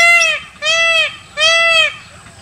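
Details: Indian peafowl calling: three loud, nasal, wailing notes of about half a second each, rich in harmonics and gently arched in pitch, spaced by short pauses, with faint chirps of other birds in the background.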